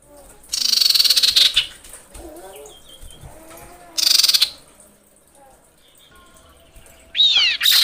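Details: Female common iora summoning males: two loud harsh, rasping bursts, then soft warbled notes, ending with sharp slurred notes leading into a fast rattle.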